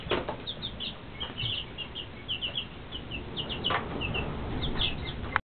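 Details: A group of two-week-old chicks, Rhode Island Red and Shaver Red, gives scattered high peeps in small clusters against constant rustling background noise.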